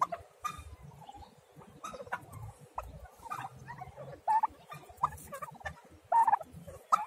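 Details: Small turkey chicks calling: brief, clipped peeps in uneven clusters, a few louder chirps standing out near the end, with low rustling and shuffling underneath.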